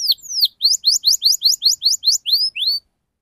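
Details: Canary singing a fast 'ngerol' phrase to prompt young canaries to sing: about a dozen sharp upswept whistled notes in quick even succession, then silence.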